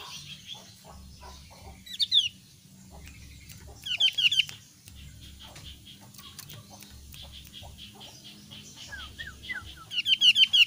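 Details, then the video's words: Javan grey-throated white-eye of the thin-browed form, whose call differs from the thick-browed form, giving short bursts of high, rapid twittering notes, three bouts a few seconds apart, over a faint low hum. "suara burung opior alis tipis"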